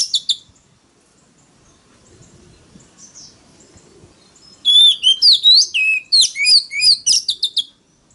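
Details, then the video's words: Oriental magpie-robin in loud competitive singing to lure a rival: brief opening notes, a long quiet gap, then a rich rapid phrase of clear whistles, sweeps and chirps. "File choè than mồi kích bổi đấu GIỌNG CỰC TO || Gọi choè than SIÊU NHẬY"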